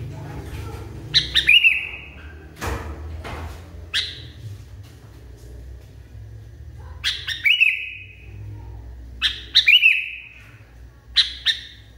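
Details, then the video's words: A sooty-headed bulbul, said to be wildly agitated, sings scattered phrases of snappy chirps that end in a drawn note. Low background rumble and an occasional sharp click are also heard. "KUTILANG NGAMUK PARAH"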